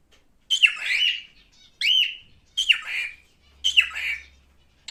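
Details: Pet male cockatiel calling in four separate bursts about a second apart, each a harsh, slurred whistle that rises then drops.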